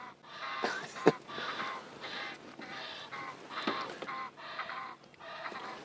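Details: An Egyptian goose pair calls to each other at sunrise: harsh, rasping honks about once a second mixed with breathy hissing, with a person's voice faintly behind. It is joked that the female honks and the male hisses.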